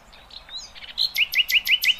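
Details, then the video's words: Nightingale singing, recorded for teaching goldfinch and hybrid chicks: soft high warbled notes lead into five loud, evenly spaced, sharply rising whistled notes repeated about every fifth of a second. "اقوى تغريد طائر العندليب"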